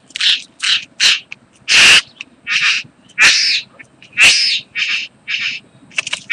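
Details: Bowerbird (karawarra) in a mating display, 8 January 2014: a string of rough, hissing rasps at irregular intervals, some longer and louder, with soft scratchy sounds between.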